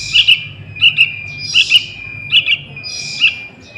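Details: Juvenile sooty-headed bulbul used as a lure for wild bulbuls, giving crisp double chirps roughly every 0.8 seconds, each pair quick and sharp, with a faint constant high whine underneath.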